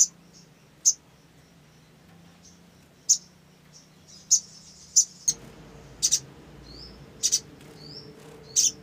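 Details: Olive-backed sunbird in a lure recording, giving isolated sharp high chips at irregular intervals with faint thin descending whistles between them; background hum shifts partway through.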